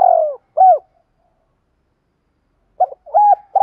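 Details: Decoy spotted dove calling in the 'thúc rút' style to draw wild doves in to fight: a low falling coo, a short arched note, a pause, then a clipped cluster of bent coos starting again. No other sounds.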